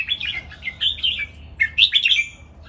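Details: Caged red-whiskered bulbuls, three birds, singing a lively training master song counted by phrases: bright warbled notes in two bursts, gliding and chattering, with a short quiet gap between them.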